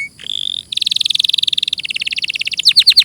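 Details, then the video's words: Canary song: a thin whistled note leads into buzzy rapid pulsed trills, then a few loud downward-slurred whistles. Clear, close sound. "Masteran suara burung KENARI"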